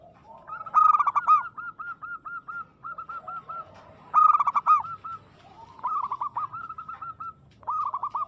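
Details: Energetic zebra dove singing aggressively: loud stuttering bursts of coos, each followed by a run of short, regularly spaced cooing notes, repeated across the recording.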